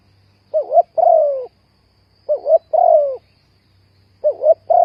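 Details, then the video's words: Trapping lure recording of a spotted dove: low cooing phrases roughly every one and a half seconds, each two short wobbling notes then a sustained downward-sliding coo, with a soft low hum behind. "The Tekukur Pikat Cocok,The Sound of Spotted dove"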